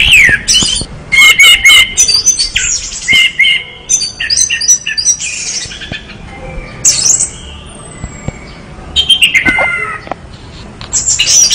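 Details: Orange-headed thrush in vigorous gacor song: rapid varied phrases of sharp chirps, trills and whistled slurs, delivered almost without pause, with scratchy high notes between them.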